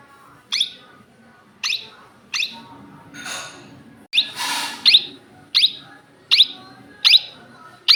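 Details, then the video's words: Indian ringneck parakeet giving about ten sharp, shrill, piercing calls at irregular intervals of roughly half a second to a second, with a broad rushing noisy burst in the middle. "Natural voice of Indian Ring neck parrot"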